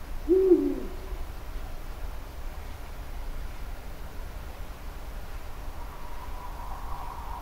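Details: A Eurasian Eagle-Owl in Germany gives a single deep, booming hoot near the start, the call males give in the courting season, often in duet with the higher-calling female; then quiet hiss and a faint distant hum.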